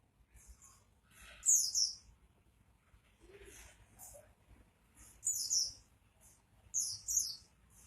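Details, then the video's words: Oriental white-eye in full song ('gacor'): bright, high squeaky phrases alternating with softer, lower chatter notes, loud bursts recurring every couple of seconds over a low background hum. "burung pleci gacor"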